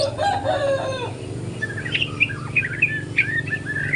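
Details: Young spot-plumaged white-rumped shama learning to sing in the morning: lower slurred whistles first, then a run of higher, sharp chirps and quick warbled notes, over a low background hum.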